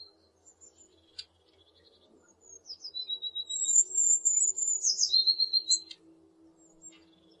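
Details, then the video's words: Eurasian blue tit: soft scattered high notes and a short trill, then a long shrill whistle falling into a rapid trill, with a faint low hum beneath. "Bird songs - Pretty melody of Blue tit."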